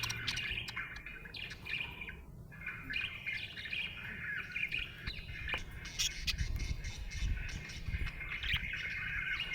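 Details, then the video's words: Budgie in a happy mood keeps up a soft, broken warble of twitters and clicks over steady low rumble and background noise. "Happy budgie chirping sound"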